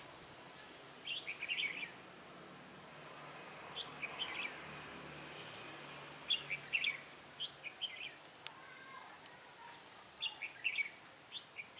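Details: Red-whiskered bulbul used as a decoy in trapping on a cold, windy day, 16 December 2017, giving bursts of quick clear whistled phrases every second or two, separated by pauses, over steady wind hiss.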